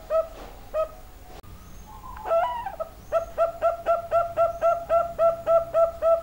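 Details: Young zebra dove with a big voice calling: a short burst of notes, then a steady run of clipped, repeated cooing notes about four per second.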